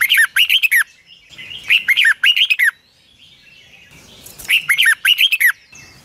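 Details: Morning training song of a red-whiskered bulbul in the long twisted double-voice style: three loud phrases of quick, bright, tumbling notes separated by short pauses.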